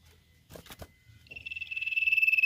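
A Common Iora gives a long, high, rapidly pulsed trill on one steady pitch that swells in loudness, after a few knocking thumps.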